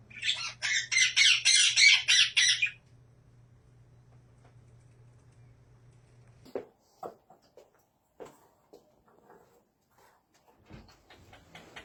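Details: A pet ringneck (Rose-ringed parakeet) gives a rapid burst of about seven harsh, grating squawks in under three seconds, followed by a person talking and laughing.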